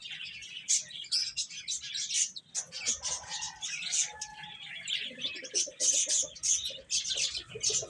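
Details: Chicks feeding and playing, with dense, high, scratchy chirping and clicking throughout and a few thin, tonal peeps partway through.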